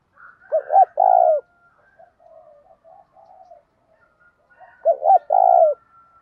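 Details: Spotted dove kept as a decoy, cooing to provoke fights; two loud phrases of paired hoots plus a long purring coo, about four seconds apart, separated by soft murmured notes and a faint high tone.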